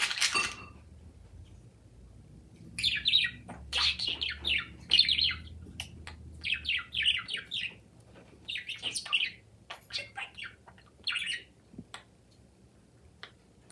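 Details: A happy parakeet chatters indoors in bursts of scratchy, warbling chirps, each about a second long, with brief pauses between them.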